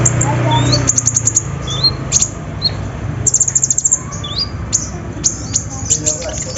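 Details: Van Hasselt's sunbird recording used to coax a quiet bird into singing: rapid bursts of very high ticking notes alternate with short rising upslurred chirps, about three each second, over a low background hum.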